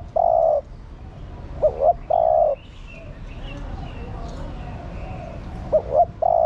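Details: A female spotted dove coos to stimulate a male. One long, level hoot opens the stretch, then two full phrases follow, each a pair of brief rising notes and a sustained coo. Soft bird twitters and low rumble sit behind.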